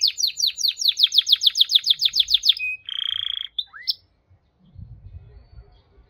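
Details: Canary delivering a rapid series of sharp, descending chip notes, then a short buzzy rattle and a lone upward whistle, before falling quiet under a low rumbling noise.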